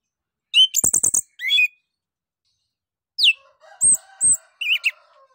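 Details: Orange-headed thrush in ngeplong singing, meant to prompt other birds to sing: a fast rattling burst of high notes and a buzzy phrase, a pause, then a falling whistle, two very high pure notes and a twittered ending.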